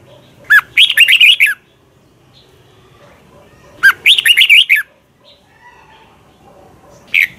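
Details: Red-whiskered bulbul, Thailand, with a teacher song meant for training other birds: short warbling phrases of about seven fast, sweet notes, repeated about every three and a half seconds. A third phrase begins at the end.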